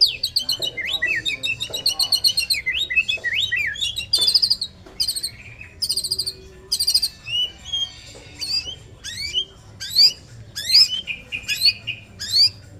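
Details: Male white-rumped shama in full song: a rich, varied stream of whistles, rapid trills and sweeping up-and-down notes, changing phrase every second or so, over a steady low background hum.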